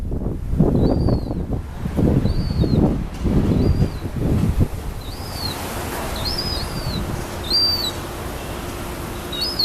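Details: Gull chicks looking for food in South Boston, 2013: thin, high, slightly arched whistled peeps repeated every second or so, about seven in all, over strong gusty wind rumble and rustling.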